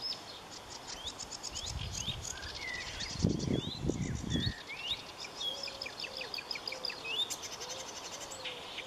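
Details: A marsh warbler sings a varied chatter of trills and slurred whistles. A low rumbling noise intrudes in the middle, and a low, level whistle from another caller repeats near the end.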